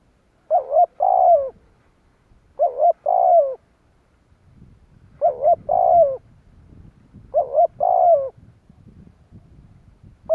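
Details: Spotted dove calling to attract wild birds for decoy trapping. Four shorter double-note cooing phrases roughly every two and a half seconds, each a soft hoot and a buzzy falling coo, over light background rustling.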